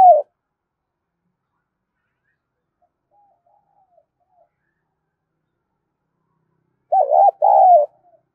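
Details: Spotted dove decoy bird from Đồng Nai, Vietnam: after long silence, a short cooing burst of wavering notes and a drawn-out coo near the end.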